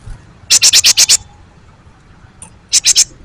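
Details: Great tit song used as a lure to set other birds singing: a quick run of five hard, ringing notes, then three more after a pause, all sharp and high, with little else heard.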